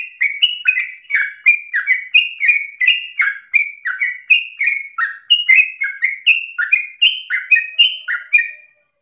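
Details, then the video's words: Nonstop 'ropel' song of a sooty-headed bulbul, meant for tutoring other birds: lively bubbling couplets of falling and rising whistles in a rapid chain that stops abruptly before the end. "Trucukan gacor narung ropel ngotot paling Bagus untuk pancingan masteran"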